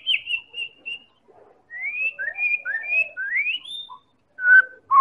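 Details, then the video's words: White-rumped shama song from Medan played as a lure to make other birds sing: spaced clear whistles, then a sequence of upward-sliding notes, ending with loud lower whistled notes. "Real Pancingan Murai Batu Medan Super"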